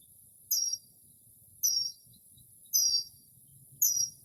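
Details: Singing outside a home on an early spring night, a Northern mockingbird mimics other species with a very high, thin, falling phrase repeated four times, roughly once a second, over faint low background hum.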